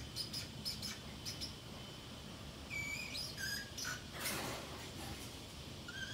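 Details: Pet Pacific parrotlet left home alone, murmuring to itself: soft high tweets, a few short whistled notes, and a brief rustling burst partway through.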